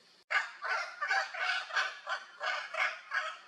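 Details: Wild Hyacinth Macaws playing in Brazil: a run of loud, harsh, raspy squawks, about eight in a row, each a broad burst with rough harmonics, repeated nearly three times a second with little pause.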